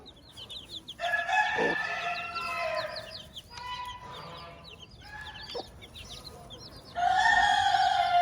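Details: Farm hen with her chicks: drawn-out harmonic clucking calls from the hen in long bursts, mixed with many quick high rising peeps from the chicks throughout, and a loud burst of hen calling near the end.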